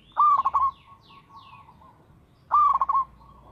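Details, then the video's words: Local zebra dove singing regularly; low rolled coo with a short bubbling trill, repeated after a pause of about two seconds, faint softer echoing notes between. "PERKUTUT LOKAL GACOR SUARA TERATUR"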